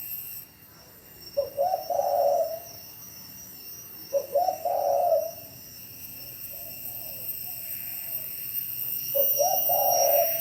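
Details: In Bảo Lộc, Lâm Đồng, Vietnam, a spotted dove utters three low, rolling coo phrases, the middle one softer. Each is short stuttered notes then a drawn-out tone, with high steady hiss behind.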